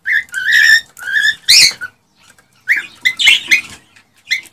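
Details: Excited male cockatiel singing to stimulate a female to mate: short whistled notes and a harsher rasping burst, with a quiet gap in the middle before more whistles and chatter.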